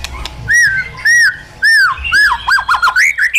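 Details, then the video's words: Wild-style song from a caged white-rumped shama, three arched whistles spaced half a second apart leading into a fast jumble of swooping notes. "KÍCH CHOÈ LỬA HÓT 100%, LUYỆN CHOÈ LỬA HÓT GIỌNG RỪNG HAY MỚI NHẤT"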